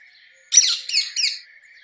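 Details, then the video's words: Rose-ringed parakeet giving three quick, grating screeches in close succession, the first longest, over a steady background hum. "Rose ringed parakeet Song ! Rose ringed parakeet Call ! Rose ringed parakeet Sounds"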